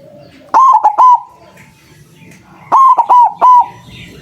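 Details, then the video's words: White zebra dove with a loud voice, recorded as a trapping lure to make other zebra doves call back; two bursts of three loud, short cooing notes, the second burst about two seconds after the first. "Perkutut putih suara besar sangat ampuh buat pancingan, malas bunyi langsung nyaut"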